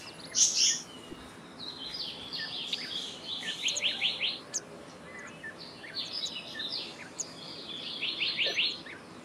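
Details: Black-naped monarch singing quick runs of repeated bright, ringing notes in several bursts, opened by one harsh call, with other faint chips and gentle ambient noise.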